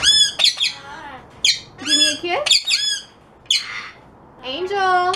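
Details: Pet parrot indoors, from a compilation of talking parrots, uttering a rapid string of squawky, harmonic-rich syllables in short bursts with gaps, mixed with a person's speech nearby asking for a kiss.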